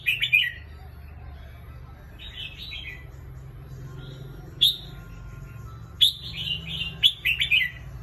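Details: Red-whiskered bulbul kept in a cage, giving lively chirpy song: short tumbling phrases of falling, slurred whistles, sometimes single sharp notes, bunched together near the end, with a faint low hum throughout.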